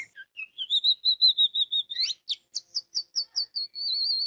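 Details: Orange-headed thrush song serving as a lure to trigger singing in other orange-headed thrushes: a sustained warbling whistle wavering on one pitch, then a quick sweep into a series of short, evenly spaced chirps and a buzzy close.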